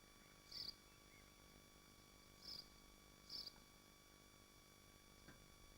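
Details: At a nest in Machynlleth, Wales, within the Dyfi Biosphere, swifts give three separate brief, high, harsh screech notes spread over about three seconds. Low steady hum in the background.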